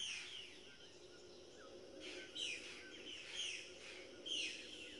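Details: Scarlet macaws giving harsh, bright squawks that slur downward, three or four spaced cries in a few seconds, set against a soft constant hum and hiss.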